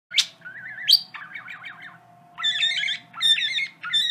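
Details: Pet parakeet singing and saying favourite phrases: a sharp chirp, then wavering warbled notes and buzzy, stacked chattering phrases, over a steady low hum.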